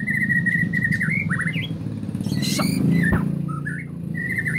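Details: Agitated white-rumped shama sings short whistled phrases and quick slurred notes over a loud, steady low engine hum.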